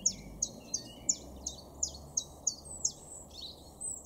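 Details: Garden chiffchaff in Weener, East Frisia, northwest Germany, recorded April 2023, repeating clipped, high, falling notes about three per second, nine in a row, then trailing into softer, blurred phrases; faint low background hum.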